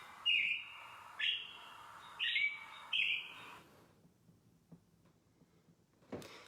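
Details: American robin song ("cheerily, cheer up"), a baseline vocalization saying it is here and all is well: four clear, caroling slurred-whistle phrases about one second apart, then near-silence and a short sharp click.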